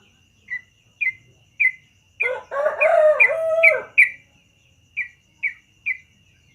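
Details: Trucukan (yellow-vented bulbul) in full morning song: a run of short bright notes about every half second, broken by a richer warbled phrase in the middle.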